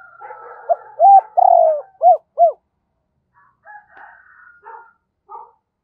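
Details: Decoy spotted dove giving urging coos to lure wild doves: a run of low hollow coos with one long vibrating note and two short arched ones, then faint distant chirps.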